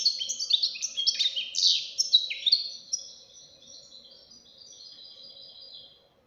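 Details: Young goldfinch pouring out a quick, liquid, twittering phrase of high chirps and slurred notes that fades into thin, drawn-out buzzes.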